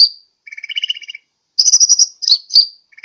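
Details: Sunbird lure call from Sukabumi, Pajampangan, used to attract birds: a sharp high note, then a buzzy rattling trill with a thin upper band, followed by fast bright chattering notes and a few sharp squeaks.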